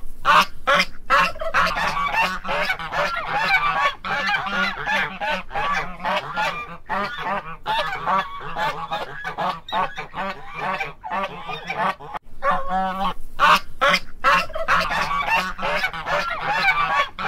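Guineafowl give harsh, grating calls in rapid, overlapping bursts, several birds chattering at once.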